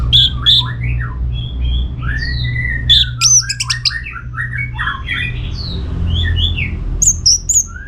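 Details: Orange-headed thrush in full song, played to prompt other birds to answer: sharp high whistled notes and quick slurred phrases over softer warbling, with a steady low hum beneath.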